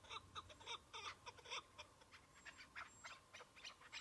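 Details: Chukar partridge in spring snow patches during a hunt: bursts of harsh, bright clucking notes in an irregular rhythm, louder early then softer, with a light background hiss.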